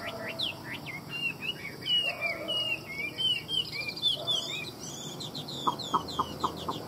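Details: Chinese hwamei (họa mi), a bird offered for sale, singing in a rich voice: loud, varied whistled phrases of slurred rising and falling notes in quick succession. Faint background hiss, and a short burst of sharp repeated clicks near the end.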